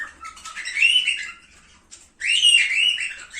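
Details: Cockatiel call for encouraging mating: a long whistle that climbs and then wavers, a short pause, then a second, louder rising whistle with clear ringing overtones.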